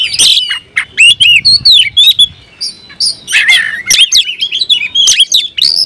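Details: An oriental magpie-robin, called kacer, sings in search of a rival; clipped, loud whistled notes come in bursts, some sliding upward, separated by brief gaps, with a short harsher burst midway.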